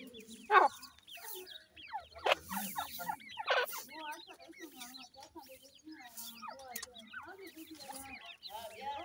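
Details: Newly hatched teetar (francolin) chicks with a parent bird: many thin, rising peeping chirps overlapping in a busy chorus, a few louder harsh notes near the start, and a low murmur beneath.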